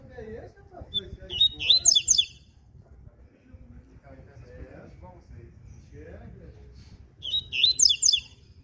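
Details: In the morning a double-collared seedeater repeats its ziper song twice, about six seconds apart, each a sub-second burst of rapid, high, buzzy zigzag notes over soft low murmuring.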